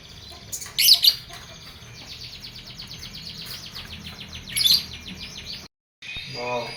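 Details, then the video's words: Canary set out to sun in the morning, between eight and ten o'clock, to make it sing more and keep it healthy; two bright chirp bursts frame a long, fast, buzzy trill of evenly repeated high notes, with steady low background hum. "Jemur Burung Kenari"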